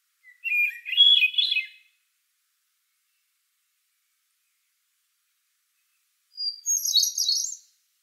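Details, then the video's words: A Hermit Thrush sings in June two flute-like phrases, each opening on a clear held whistle and breaking into a fluttering, ethereal cascade ending in softer echo-like tones; the second phrase is pitched higher, after a long pause. "Hermit Thrush Song"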